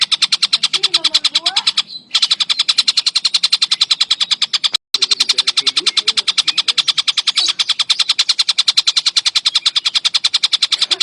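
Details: Collared kingfisher calling continuously, used as a training recording for songbirds: a dense, harsh run of rapid rattling notes, about three per second, broken by two brief gaps, with faint lower warbling in the background.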